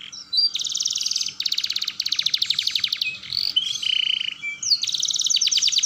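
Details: Canary roll song for training young canaries to sing: long rapid trills of high repeated strokes in several tours, a brief flat buzzy note around four seconds, then another fast trill, with a low hum underneath.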